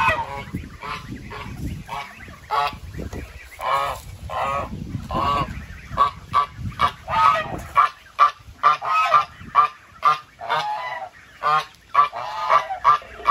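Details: Rapid, choppy goose honking, short nasal blasts repeated more than twice a second in an excited run, after a noisier opening few seconds.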